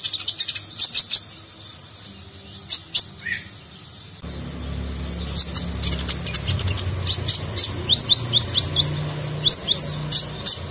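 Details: Sunbird (konin) in nagen style, training recording for contest birds: sharp high chips, then a rapid series of rising swept whistles around two per second, with louder low background noise in the second half.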